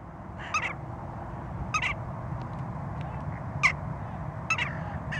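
Western jackdaw giving short, sharp 'tchak' calls, single or doubled, about every second, over a steady low rumble of background noise.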